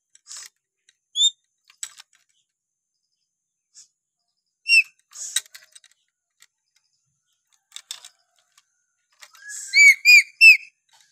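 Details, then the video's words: A Papuan lory gives natural song: scattered sharp, high chirps and short whistles, then a quick burst of clear, rising-and-falling whistled notes near the end, against a silent background. "siulan alami burung nuri paltem"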